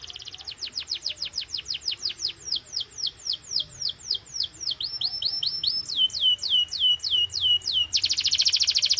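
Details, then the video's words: A domestic canary singing strongly, a recording intended to stimulate other canaries: a long rhythmic series of sharply descending whistled notes, about three per second, that change pace and pitch, ending abruptly in a harsh, very fast buzzing trill. "Canary singing FULL POWER 🙌| Canary singing sound"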